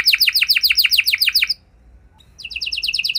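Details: Canary trilling in repeated high falling notes, then pausing for under a second before resuming on a slightly higher pitch. The song is used to make other canaries answer.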